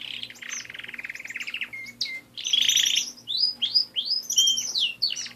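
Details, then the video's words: Canary song from pet birds: a fast buzzy trill that rattles evenly for over a second, two short clear whistles, then loud rolling warbles and arching whistled notes in quick succession over a low background hum. "My Canary Friends"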